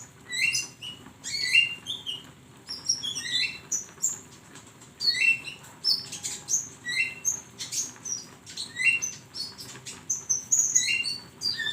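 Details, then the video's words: A flowerpecker on a songbird training recording gives a long, busy series of very high chips, squeaks and short slurred whistles, almost without pause. "masteran burung Konin"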